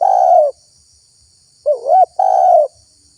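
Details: Spotted dove lure call used to draw wild doves: mellow cooing notes, a long level coo, a short wavering double note, then another long coo, over a faint steady high hiss.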